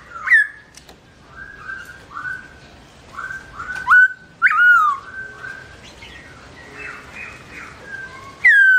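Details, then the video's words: Melodious song of a black-throated laughingthrush (Garrulax chinensis) with its owner away: a flowing series of mid-pitched whistled phrases, with several louder slurred notes standing out. "Bird Garrulax chinensis: Birdsong Chirping Melodious When The Owner Is Away"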